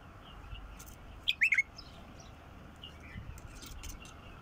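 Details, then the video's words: Wild bulbul gives one brief phrase of four bubbly whistled notes, the first highest, the rest slurring downward; faint distant chirps and light ambient noise follow. "تغريد بلبل وحشي"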